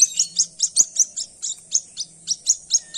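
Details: Chick of white-breasted waterhen found at dawn, giving a rapid series of high, thin chirps, about four per second, clear and evenly repeated, with a faint low hum underneath.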